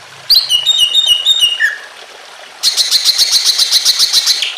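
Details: Greater green leafbird singing loudly: a high ringing trill and a short falling whistle, a pause, then a long rapid series of sharp, evenly repeated chattering notes.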